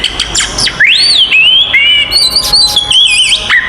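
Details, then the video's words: Oriental magpie-robin fighting song, used to provoke other magpie-robins; a sharp upswept whistle arching over into slurred warbling phrases, then high twittering notes ending in a falling whistle. "SUARA BURUNG kacer gacor TARUNG konslet paling AMPUH buat PANCINGAN KACER EMOSI"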